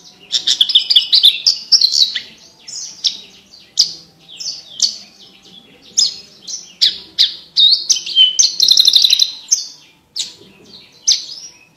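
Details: A Javan bush lark delivers a long, varied song for training competition birds. Rapid chirps and whistled phrases tumble one after another with frequent short pauses, and a fast buzzy trill sounds near the end.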